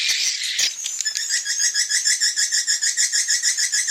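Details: Edible-nest swiftlet call used to lure birds to roost at dusk: after a short burst of mixed twitter comes a steady pulsing series of high chirps, about three per second, each a tight double-tone twitter.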